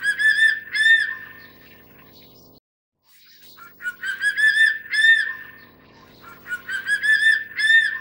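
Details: Crested serpent eagle of the Taiwan subspecies (Spilornis cheela hoya) gives loud, ringing whistled notes in quick bursts, each slurring up then down, with a steady low rumble beneath.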